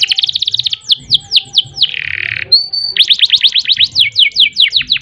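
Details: Canary in full song used as a master for training: quick series of high downward-sweeping whistles, a harsh buzzy burst, then a steady pure tone leading into more rapid descending whistled notes.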